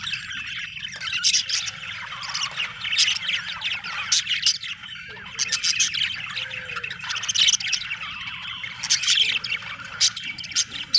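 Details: Budgies chattering together: a busy stream of high warbles, squeaks and clicking tweets from several birds at once, rising and falling in loudness, over a faint low rumble.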